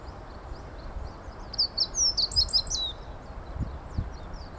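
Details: Meadow bunting singing on a usual walking path: one short, high, tumbling phrase of quick twittering and slurred notes, over steady low background rumble with occasional soft thumps.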